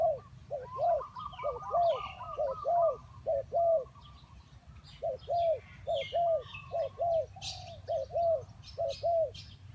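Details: Spotted dove used as a trapping lure coos steadily, a long series of low, arched notes repeated roughly once per second in small clusters with a pause midway, while other birds chirp and twitter higher up.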